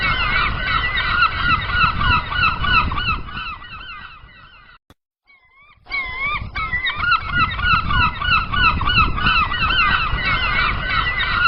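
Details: A dense chorus of gulls on the open sea gives nasal, wavy cries at a rapid rate. It is interrupted by a short near-silent break with a few isolated calls, then resumes over a steady low rumble.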